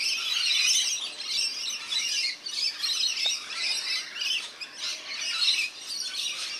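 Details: At a backyard birdbath in NSW, Australia, rainbow lorikeets squawk and chatter as they bathe, a steady, harsh, high-pitched babble with brief dips in loudness.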